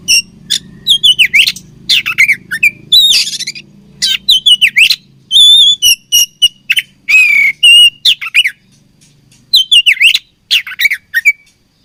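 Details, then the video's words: Oriental magpie-robin, known locally as kacer, singing while fighting: loud whistled and slurred phrases with rising and falling notes, interspersed with harsh buzzy bursts in quick irregular succession, with a faint low hum underneath. "Beautiful Chirping Sound Of Fighting Birds"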